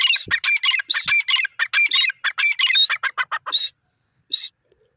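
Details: Teetar, a francolin, in a fast run of harsh, scratchy, chattering notes, about a dozen in three seconds, ending with two longer loud notes after a short pause.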